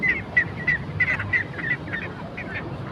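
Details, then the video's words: A duck gives a quick run of short, squeaky nasal notes at a steady pace, then fades into softer calls over low background noise. "funny ducks sound"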